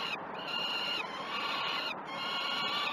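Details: Peregrine falcon chicks feeding at the Great Spirit Bluff nest on 12 June 2018 at 06:20 on a live camera. Continuous, grating, harmonic begging cries are broken by a few quick, sharp pauses.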